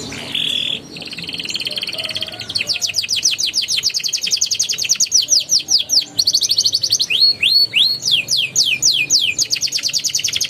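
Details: A canary sings a prompting song in the ngeroll style for young birds: a short buzzy note, then a long rapid roll of sweeping notes with a few looping whistles midway, continuing to the end.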